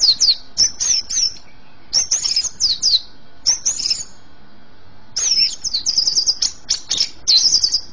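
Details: Greater green leafbird, a kept bird in full song, meant to set young birds singing: bursts of rapid high chattering and sweeping whistled notes, grouped in phrases separated by short pauses.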